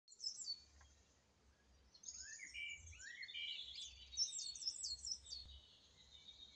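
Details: Song thrush singing: a run of varied, clear whistled and chirpy phrases, some rising sharply and some high and trilled, in quick changing bursts over faint low background rumble.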